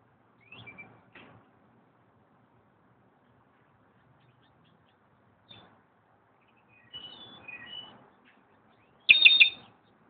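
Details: Slate-colored solitaire (Myadestes unicolor) calling at Xel-ha, giving clear, high, flute-like whistled notes in scattered bursts separated by long silences, ending in one loud ringing phrase.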